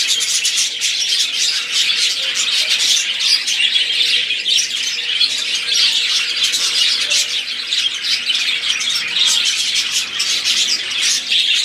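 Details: Budgerigars singing together, a long unbroken stream of high twittering, squeaky notes and harsh squawks, busy and even in loudness, with a faint steady hum beneath.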